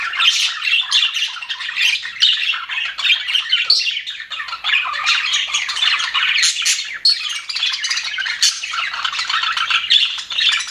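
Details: Several contented budgies in an aviary produce a steady, busy stream of overlapping chirps, trills and harsh squawks, lively and unbroken throughout.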